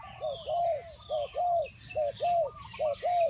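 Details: Spotted dove cooing in clear paired phrases: a short note followed by a longer, arched, hollow coo, repeated four times at an even pace, with soft bird twitters behind.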